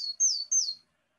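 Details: Willow tit (Poecile montanus) song, a bird of wet woodland and trees around water: plain, high whistled notes slurring downward, 'pew pew pew', about three per second, with nothing else in the background.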